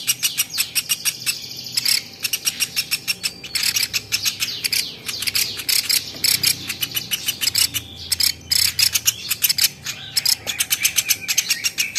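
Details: Velvet-fronted nuthatch, champion-bird masteran: long series of sharp high chips, mostly about three per second with quicker stretches and brief pauses, and soft whistled notes woven through.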